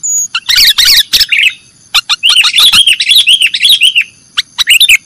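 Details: Caged-bird training recording of a sooty-headed bulbul in nggaruda style. A long, busy stretch of jumbled twittering and wavering whistled notes, with a few sharp ticks at the start and end.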